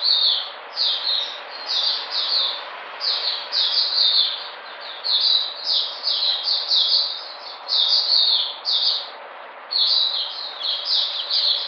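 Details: White-eye, recorded 13 February 2020 as it comes back into energy, delivering a continuous high twittering song of quick down-slurred whistled notes in bursts, with brief gaps between phrases.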